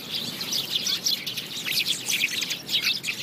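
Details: House sparrows chirping in a dense, continuous chorus of many overlapping short, bright cheeps, some with a rough edge, with a steady hiss of background noise.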